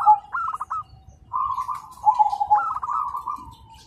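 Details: Zebra doves answering each other in the morning with trilling song: short bright stuttered phrases of rapid cooing notes, a brief gap, then longer rippling runs that overlap between birds.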